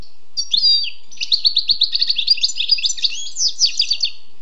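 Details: Wild European goldfinch in sweet song, a fast liquid stream of tinkling, buzzy-edged chirps running almost continuously for several seconds, no other sounds.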